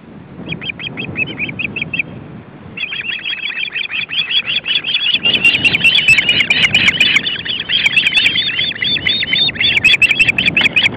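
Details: Excited osprey calling at a nest where the male arrives with a fish and the female follows, three chicks present, windy day: loud, dense, rapid whistled chirps in long unbroken series, growing more intense, with wind beneath.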